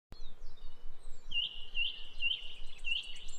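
A bird sings a quick series of high, sweet chirps, several each second, over a steady low rumble of background noise.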